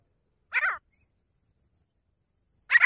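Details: Grey francolin uttering two rough, raspy bursts, each a fraction of a second long and about two seconds apart, in otherwise quiet surroundings.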